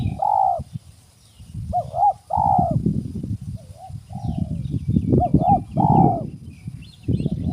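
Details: Wild spotted dove at a bird-trapping site, giving loud, low, hollow coos in short two- and three-note phrases with a drawn-out final note. Heavy low rumbling handling noise fills the gaps, and faint high chirps come from other small birds.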